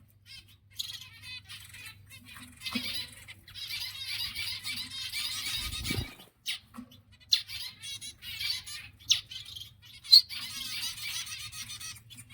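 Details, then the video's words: Exhibition zebra finches in a group, giving dense overlapping nasal chirps and trills, with a brief soft thump near six seconds and a low steady hum underneath. "exhibition zebra finches"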